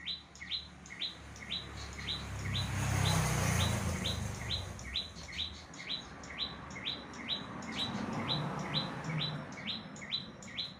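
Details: Bar-winged prinia song of rapid rising chirps repeated about twice a second. It is partly buried under a loud rumbling low noise, like wind or handling, that swells in the middle.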